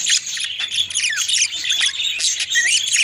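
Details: Budgerigars feeding their mate, a dense stream of scratchy squawks and warbled chirps, with short rising and falling whistles running through the chatter.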